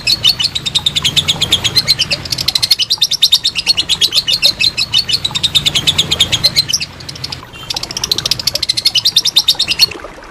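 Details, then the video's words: Lovebird in long ngekek, recorded as master audio for training contest birds: three bursts of rapid high chattering pulses, separated by short breaks near the third and seventh seconds. "Masteran Lovebird Ngekek Panjang"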